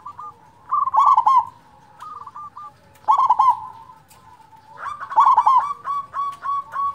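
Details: Local zebra dove singing loudly as a lure for reluctant singers: repeated phrases of a bubbling, trilled coo and a string of short even-pitched notes, the final phrase louder and richer, over a faint low hum.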